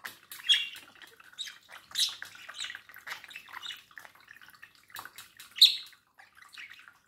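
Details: Pet budgerigar chattering to its reflection: dry clicking twitter mixed with scattered sharp high chirps, the loudest near the middle and again past five seconds.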